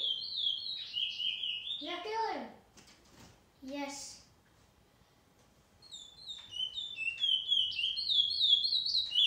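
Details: Chestnut-bellied seed finch (picolet, curio) singing 2018 poespoesie song: quick high whistled notes, sliding and chirped in rapid series, at the start and again in the final seconds, a person speaking briefly in between.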